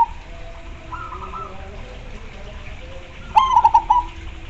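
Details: Perkutut, or zebra dove, in song. Soft distant cooing from other doves comes first, then one loud close phrase: a sharp start dissolving into four or five quick rolling coo pulses.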